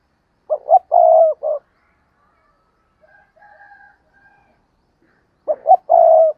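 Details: Decoy spotted dove calling to lure other doves: a three-part coo phrase, quick double note and a long level coo, repeated after a few seconds. A faint thin whistle sounds in between.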